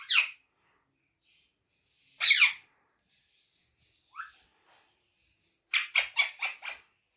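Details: Talking ringneck parrot producing Urdu and Hindi mimicry: scattered harsh, breathy bursts separated by pauses, then a quick series of five clipped, raspy syllables near the close.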